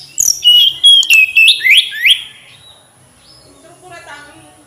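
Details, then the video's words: Tledekan gunung flycatcher song: a loud run of about two seconds of rapid, high chirps ending in downward-swept whistles, then fading to softer background bird notes. "Kicau Merdu TLedekan Gunung"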